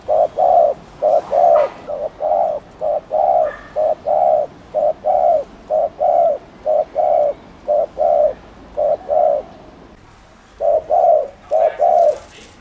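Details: Spotted dove cooing to stir up rival doves: repeated paired hollow coos, a brief note then a drawn-out one, running for about ten seconds, pausing, then resuming with three more coos.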